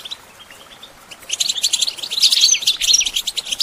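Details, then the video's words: Goldfinch song meant as training support for songbirds: a quiet opening of a few thin notes, then a bright burst of rapid high twittering, tinkling chirps and short whistles that builds and stays lively to the end. "Goldfinch Training With Stimulating Support for Songbirds"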